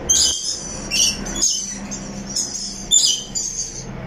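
Rainbow lorikeet giving shrill, harsh, high chirps and screechy chatter in short bursts about every half to one second, with faint low background hum.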